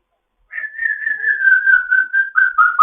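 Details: African grey parrot in foster care, morning chatter: one long wavering whistle that slowly falls in pitch, with small pulses along it, ending in a click.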